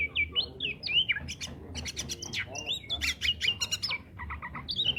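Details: Oriental magpie-robin, song played to encourage silent birds to sing: fast medley of whistled slurs, squawky notes and clicking bursts, varied and energetic, with a low background hum.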